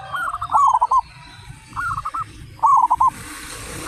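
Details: Local zebra doves, 35 of them, singing loudly; three bursts of quick rolling coos stand out against a noisy, hissing background with a steady low hum.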